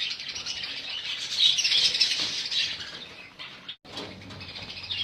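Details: Budgerigars chatter in a thick high twittering mass, louder in the middle, with a short silent break followed by wing flutters and renewed chirping.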